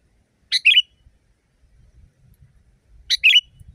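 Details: Sooty-headed bulbul heard loudly in the wild. Two crisp, two-part chirps sound about two and a half seconds apart, each a sharp burst followed by a slurred lower note, with faint low rustling between.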